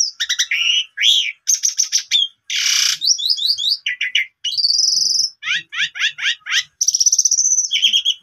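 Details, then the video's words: Lure recording of Asian pied starling singing, meant to make a stalled starling sing again. Dense, high mix of harsh buzzes, a loud rasping burst, repeated downslurred chips and a long thin whistle. "Pancingan Maut Jalak Suren Pundung Langsung Gacor Dan Bongkar Isian"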